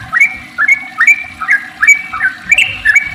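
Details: Sooty-headed bulbul lure song, 'ropel panjang' style, meant to set other bulbuls singing: a lively run of short whistled phrases, each a rising note flipping into a higher one, repeated about twice a second.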